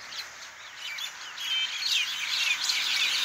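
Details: Mynas calling at night from the top of a tree under a visible moon, a crowded chorus of shrill chirps, squeaks and whistled slurs from many birds, growing louder and busier toward the end.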